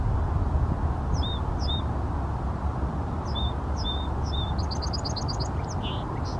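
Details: Song sparrow song from Seattle: clear, evenly paced introductory notes in a steady series, then a fast bright trill and a short buzzy ending, over a continuous deep background rumble.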